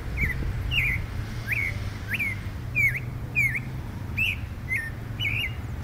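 Clay-colored thrush giving about ten short, slurred whistled notes that rise then dip, roughly twice a second, over faint high ticking and a low background rumble.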